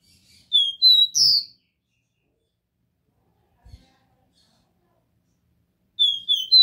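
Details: Copper seedeater with the pure DÓ RÉ MI song, used to stimulate a captive bird: a three-note whistled phrase, stepping up at the end, then long silence before the phrase starts again, with a faint click between.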